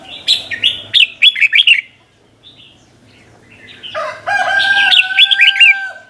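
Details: Red-whiskered bulbul performing the doubled 'beun' style '100 Archeep' song meant for teaching young birds: a lively string of quick whistled, looping notes, a pause, then another phrase over steady lower tonal sounds.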